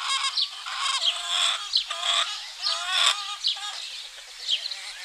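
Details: Chickens clucking on a spring morning in a Greek village: short harmonic clucks in irregular bursts, with high chirping of small wild birds running through the whole background.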